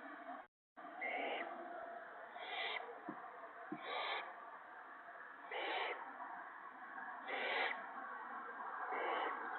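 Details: On March 28, 2017, at night, owlets are fed gophers, one shredded by an adult and one swallowed whole. Breathy, high hissing screeches repeat roughly every one to two seconds over a continuous hum, with a brief dropout near the start.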